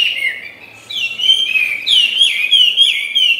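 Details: Tame caged Chinese hwamei singing: loud, clear whistled phrases that slur upward and downward, rich and fluid, with notes repeated in quick succession and a short quiet pause near the start.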